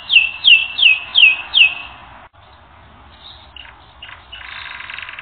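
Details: Canary in a training recording gives five clear descending slurred whistles, then after a brief gap, faint scattered notes and a soft buzzing trill.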